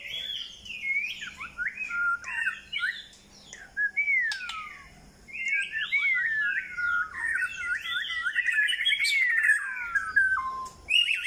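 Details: White-rumped shama giving a rich, varied song of fast warbled notes, whistled glides and trills that run almost without a break and grow louder toward the end, with a few short clicks.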